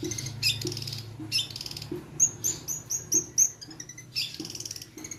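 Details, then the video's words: Long-tailed shrike (cendet) song used as a lure to provoke singing: a jumble of high scratchy chattering bursts and thin whistled notes, with a run of five quick sharp whistles midway, over constant low noise. "Pancingan cendet"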